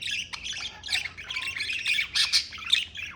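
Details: Pet budgerigars in steady warbling chatter, rapid scratchy and chirpy notes running without pause, one thin whistle among them.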